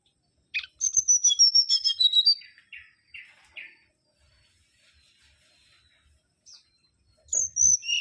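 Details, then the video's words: Mangrove whistler giving a fast, ringing string of high whistles that descends in pitch, then three short, lower notes. After a pause, another high whistled run begins. "Kancilan Bakau Gacor"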